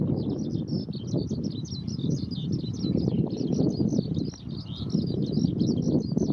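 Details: A male Eurasian skylark (Alauda arvensis japonica) hovering over a fallow field in Japan, cloudy windy mid-June 2022 midmorning around 10:45, pours out fast high twittering warbles to claim territory over wind rumble, then plunges to the ground.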